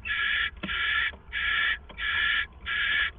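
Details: Owl calling at the Hideout at 4:49 AM on April 27, 2014, with two owls there. Long, loud rasping hisses, each about half a second, follow one another in a steady run with brief pauses and faint clicks between.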